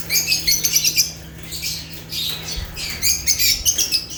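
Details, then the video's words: Agapornis lovebirds from Africa chirping: rapid, pulsing strings of piercing, squeaky notes in two lively bursts separated by a short lull, over a faint steady low hum. "Rare African Lovebirds (Agapornis) | Natural Chirping Sounds"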